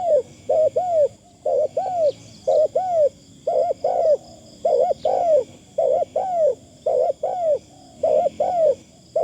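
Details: Decoy spotted dove calling in a thin, pleasing style. Rounded arched coos come in pairs and short runs through the whole stretch, with a constant faint high whine behind them.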